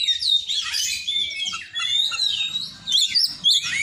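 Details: Oriental magpie-robin song with mimicry of the cinereous tit: dense, rapid high twittering and sweeping whistled notes, jumbled phrases broken by short pauses.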